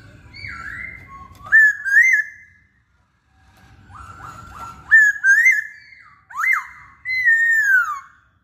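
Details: Masked laughingthrush (Poksay Hongkong) singing energetically: rich whistled phrases that rise and fall, some with quick high flourishes, in three separated bursts with brief silent gaps and soft low rumble beneath.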